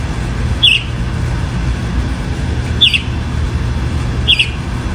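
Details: Sabiá-do-campo (chalk-browed mockingbird) repeating a clipped, bright, descending note three times at about two-second intervals above a heavy low drone.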